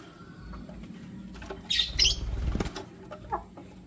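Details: Lutino lovebirds, one male choosing between two females, give a quick cluster of sharp, high, scratchy chirps lasting under half a second, followed by a dull thump and quieter chirping.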